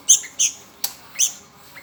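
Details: Short bursts of piercing, high chirps from a hungry Sooty-headed Bulbul nestling begging, four notes with a brief click between them.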